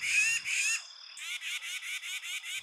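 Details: Tufted Titmouse alarm call filmed on a trail, one of two from the same trail: two long, harsh, raspy notes, then a quick run of about seven short scolding rasps, roughly six per second.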